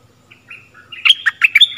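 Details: Lure song of a stripe-throated bulbul, used for teaching young birds: soft introductory whistles build into a loud, bubbling burst of four or five sharp, warbled notes at varied pitches.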